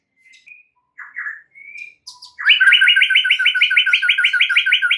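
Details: White-rumped shama song used as a lure for other shamas, a few scattered whistles and short notes, then a loud fast rattling series of doubled notes lasting over two seconds.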